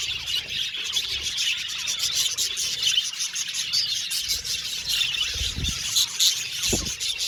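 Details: Happy budgies chirping together in an aviary colony, steady high twittering and chatter, with two dull low thumps near the end.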